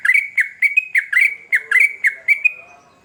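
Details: Trucukan, the yellow-vented bulbul, singing energetically as a lure call meant to draw replies from other trucuk birds: quick series of short, rolling, bubbly notes at a steady mid pitch, easing off toward the end, over quiet background.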